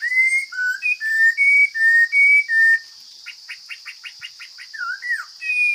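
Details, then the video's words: Chinese hwamei from the forest singing: a series of clear, evenly spaced whistled notes at shifting pitches, then a rapid rattle of about nine short chirps, a dipping slurred note and a final whistle, over a steady high buzz. "Coob hav zoov quaj tau zoo kawg!"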